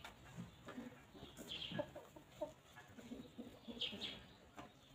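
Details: Free-roaming farm chickens walk, graze and peck at fresh grass in the countryside, giving soft, low, scattered clucks and murmurs throughout, with brief high chirps from small birds in the background.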